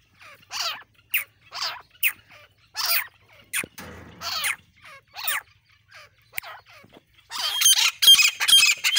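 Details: Grey francolin giving loud, strident, rising notes repeated roughly every half second, with a burst of rustling noise midway and a harsher, dense calling flurry at the end.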